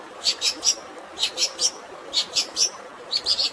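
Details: Long-tailed Shrike fighting-style song over natural running water: short high chirped notes in clusters of three, repeated about once a second against a steady watery hiss.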